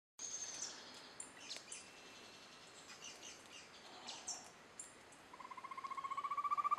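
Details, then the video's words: A Rufous-tailed Antthrush (Chamaeza ruficauda) in the Serra da Mantiqueira at Campos do Jordão, São Paulo, Brazil, on 10 April 2013 gives a rapid, low series of hooting notes near the end that quickens and swells. Other birds chirp over a steady insect-like hiss. "Rufous-tailed Antthrush"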